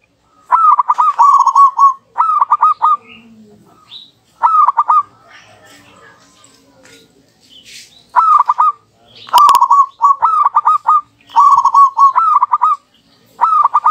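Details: Local zebra doves duetting tirelessly, each answering the other, a recording used as a lure: bursts of rapid, rolling cooed notes come in short phrases separated by quiet gaps, with soft background noise between.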